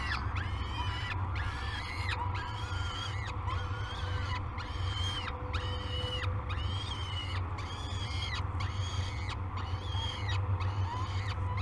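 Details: Peregrine falcon chicks in a cliff nest at Great Spirit Bluff, waking for breakfast on 22 May, giving repeated harsh rising-and-falling wails about once a second over a steady low rumbling hum.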